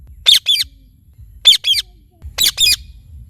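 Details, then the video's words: Indian ringneck parakeet, described as a talking parrot, calling in three closely spaced pairs of shrill, raspy squawks within about three seconds. "Talking Parrot Chirping Sounds"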